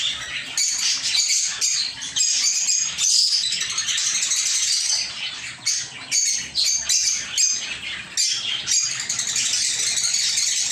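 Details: Aviary-kept lovebirds chatter in a busy chorus of sharp, high chirps and twitters, swelling and easing in short waves with a few brief lulls.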